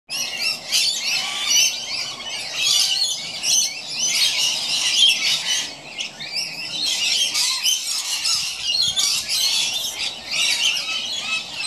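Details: Two scaly-breasted lorikeets playing or maybe fighting in a gum tree keep up a dense, shrill chatter of harsh screeches and rasping squeals almost without pause.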